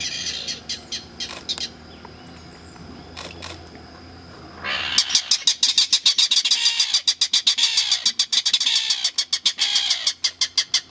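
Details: Mangrove rail (Rallus longirostris) in mangrove at Peruíbe, Brazil, on 13 July, answering a guide's call. After five quiet seconds it breaks into a loud, harsh clattering series of dry kek notes, three or four per second, over faint murmur.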